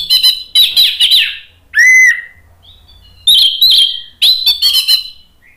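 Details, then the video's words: Caged Orange-headed thrush singing to provoke another bird: dense scratchy chatters, a loud pure whistled note curving downward, then further rapid twittering bursts and a short final note. "ANIS MERAH GACOR memancing EMOSI jadi NYAUT BUNYI NGEPLONG"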